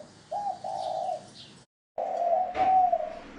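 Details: Decoy call of a spotted dove for attracting wild birds: a short coo then a longer steady one, a brief break, then a drawn-out hollow coo with a sharp clatter partway through.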